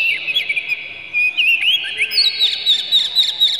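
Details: Oriental magpie-robin in an emotional display with tail spread, its song used to goad other magpie-robins into singing: rapid twittered and whistled notes, several per second, with slurred upward sweeps and dense high chips toward the end.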